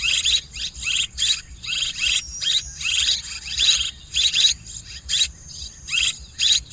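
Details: Swiftlet twittering with a hissy background. High chirping bursts recur more than once per second, irregular and slightly blurred, over a thin steady tone and low rumble.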